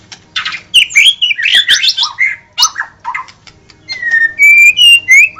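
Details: Murai batu, the white-rumped shama, singing: a burst of busy chattering and scratchy warbles, then a pause, followed by a sequence of pure, drawn-out rising whistles, each slightly higher.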